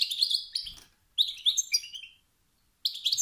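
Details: Male European goldfinch calling to spur competing males into song: a rapid buzzy twitter, a low thump, then a second phrase of sliding chirps, a silence, and a final brief burst.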